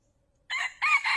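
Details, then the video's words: Male red junglefowl used as a trapping decoy, crowing: two loud harsh notes of a crow, the recording cut off mid-call, after half a second of silence. "เสียงไก่ตัวผู้ใช้ต่อเข้าเร็วมาก | wild fowl sound for trap|suab qaib qus qua zoo heev"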